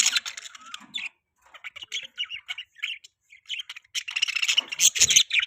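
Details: Budgerigars chirping in the morning: busy, warbling chatter of short chirps and squawks, irregular and rapid, with brief pauses, growing denser and louder toward the end.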